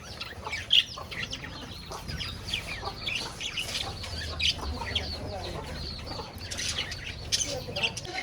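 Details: Budgerigars kept in a cage with a rabbit, giving scattered chirps and short warbling notes mixed with background rustling and low noise.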